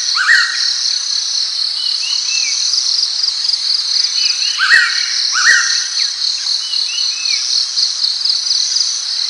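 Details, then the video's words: Pitta calling: a short clear whistle that rises and then slurs down, given about three times, one pair close together, over a loud, steady, high-pitched insect drone. "សត្វរងាវកក เสียงนกแต้วแล้วธรรมดา"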